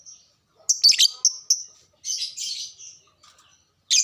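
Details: Caged lovebird calling to spur others to sing: a cluster of sharp, loud scratchy notes, then a longer wavering raspy chatter, a few faint twitters, and another harsh burst at the close.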